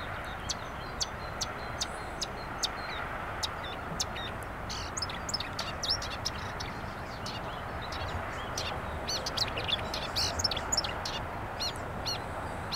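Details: Marsh warbler by the Vistula river on 23 May 2022, singing a fast, varied stream of high chirps, clicks and trills with nasal notes mixed in, over a steady rush of wind or water.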